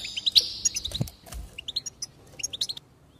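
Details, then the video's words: Goldfinch singing to stimulate song: an opening buzzy trill, then a rapid series of sharp rising chips, growing sparser and fading to quiet at the end. "increase the enthusiasm of the goldfinch and encourage it to song"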